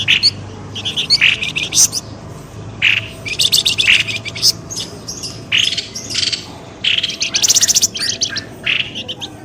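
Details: Lure sound meant to pull birds quickly out of thickets: a noisy medley of harsh chattering bursts and squawky chirps, repeated in quick clusters for several seconds.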